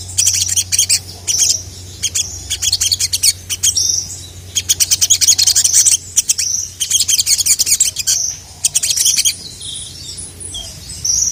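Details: Sogon, the ruby-cheeked sunbird, chirping hard to provoke a rival: clustered volleys of sharp, high-pitched ticking notes, each lasting about a second, separated by short gaps, with a faint low electrical hum beneath.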